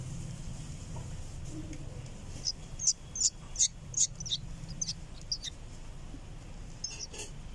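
A young bulbul gives thin, very high chirps, about a dozen in a quick uneven burst over three seconds, then a few more, over a low steady hum.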